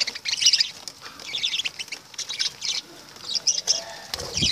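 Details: Moderately faint lovebird twittering in several high, grating bursts, with rustling and a low thud near the end.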